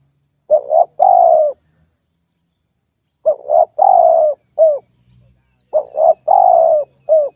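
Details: Spotted dove giving three cooing phrases. Each has two short clipped coos, a drawn-out falling coo, then a brief closing note. The phrases repeat roughly every two and a half seconds in an otherwise quiet background.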